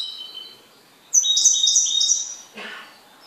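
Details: Short burst from a kept goldfinch: faint high notes, then a loud, bright tinkling run of very high repeated syllables, followed by a brief lower rustling sound.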